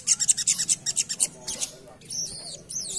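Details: Little spiderhunter singing ngerap, for use as a lure: a fast series of high, sharp buzzy chips. A brief pause follows, then a few thin, looping, twisting whistled notes.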